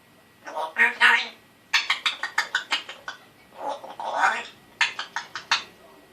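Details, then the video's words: Young captive African grey parrot, a one-year-old male, talking indoors in a hoarse voice; spoken-sounding syllables alternate with fast runs of sharp pulsed raspberry clicks. "Talking African Gray Parrot"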